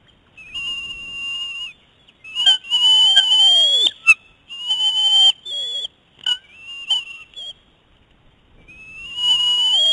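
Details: A young female eagle grows assertive as a male eats his prey on the nest; repeated shrill whistled whines, some wavering, others broken into short chattering pieces, ending in a rising drawn-out cry.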